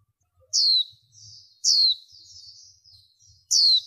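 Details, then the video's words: Female warbling white-eye, noise-reduced lure recording for the 2023 season meant to excite males and wild birds: three bright, high, downslurred notes about a second apart, with soft thin twittering between them. "Tiếng Khuyên Mái Mới Nhất Kích Trống, Bổi Cực Căng Mở Là Tới | Tiếng Vành Khuyên Mái Có File Mp3"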